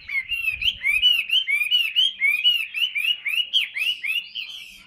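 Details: Hwamei kept in a cage, a big 'tam hoàng' bird said to sing a great deal. It delivers loud, repeated upslurred whistled phrases, about two per second, forming a steady ringing series over near silence.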